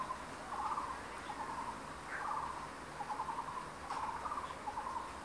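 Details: Crested goshawk at a nest in secondary forest on 12 May, with two chicks about 23 days old, gives short bursts of rapid, mid-pitched chattering notes every second or so, over a soft steady hiss.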